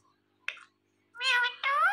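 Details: Indian ringneck parrot talking, a short breathy note followed by a long, wavering, nasal meow-like call rising toward the end, with a steady low hum indoors.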